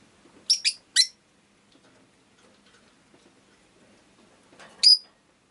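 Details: A rosy-faced lovebird (Agapornis roseicollis) gives three piercing, shrill chirps in quick succession, then silence, then one more harsh screech.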